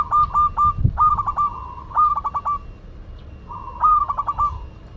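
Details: Local zebra dove from Madura singing in full voice: stuttered cooing phrases, each a long soft note broken into quick pulses, repeated four times with short pauses, over a faint low rumble.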